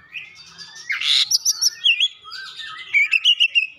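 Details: Oriental magpie-robin imitating the gelatik batu (cinereous tit): an opening scratchy noisy burst, then clipped whistled notes and chirps in rapid groups.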